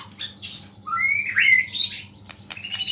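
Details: Energetic white-rumped shama song laced with small-bird imitations, meant to stir up rival shamas: a dense tangle of high whistles, sweeping slurred notes and brief sharp chips.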